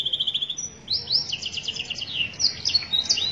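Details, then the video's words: Canary singing a master song used for training: a fast, bright run of high repeated notes gives way to sweeping whistled slurs and rapid chattering trills, loud and clear against a quiet background. "cuitan kenari masteran suara kenari"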